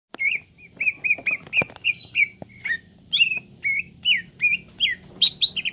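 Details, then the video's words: Green leafbird (cucak ijo) in a training recording meant to make an untrained bird sing freely. Quick series of bright, slurred whistles, each bending down then up, repeated about twice a second, with sharp clicks between phrases. "TERAPI CUCAK IJO BAHAN CEPAT GACOR"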